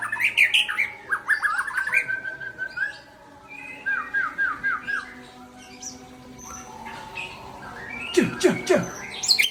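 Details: Murai Aceh, the white-rumped shama, in forceful song: clusters of quick downslurred whistles, a run of repeated chirps, a quieter stretch, then sharp sweeping notes plunging steeply low and rising again.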